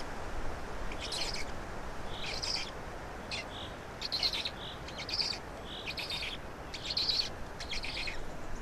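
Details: Black storks in Estonia during feeding, 16 May 2019 at 12:47; harsh, rasping broadband bursts come about once a second in an uneven series over a steady background hiss.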